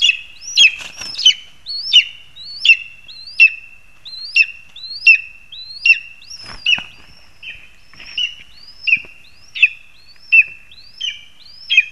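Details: Lesser spotted eagle in a spruce in Zemgale, Latvia, August 2021: a long series of sharp yelping notes, each led by a thin rising whistle, repeated about every 0.7 seconds, with some rustling early on.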